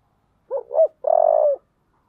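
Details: Spotted dove singing in the "giọng thổ" style: two short, rounded coos followed by a long, burry, vibrating note held for about half a second, all low-pitched and clean against a silent background.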